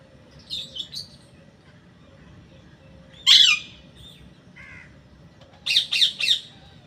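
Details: A parrot utters scattered harsh notes: a soft double squawk, a loud rasping call that slides downward, a short low note, then three quick buzzy squawks in a row.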